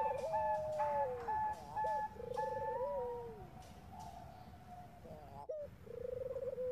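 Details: Zebra dove, Bangkok type, female calling male to draw other doves into calling: a sliding descending coo, buzzy trilled phrases, and a higher repeated tone, with a brief crackle before a final trill, amid steady background noise.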